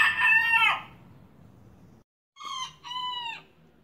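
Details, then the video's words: Miniature young rooster crow: the tail of one crow fades, then after a pause a short two-part crow with a brief note and a longer, slightly falling harmonic note. "Gallito Miniatura Cantando Kikiriki"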